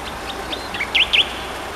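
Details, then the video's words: Tektekreyod bird: faint short notes build to two loud, sharp down-and-up chirps close together, over a low hiss. "suara burung tektekreyod"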